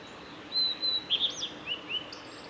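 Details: Male blue-and-white flycatcher in song along Kanazawa forest road, Lake Miyagase, Japan, 17 May 2020: a long clear high whistle followed by a quick run of sliding, slurred notes dropping in pitch, against faint ambient hiss.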